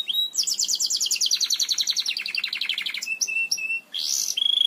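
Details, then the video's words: Belgian canary singing to teach canaries: a rapid rolling trill that slowly descends in pitch for nearly three seconds, followed by short whistled notes and a brief high buzzy phrase. "CANTO PARA ENSINAR CANÁRIOS BELGAS"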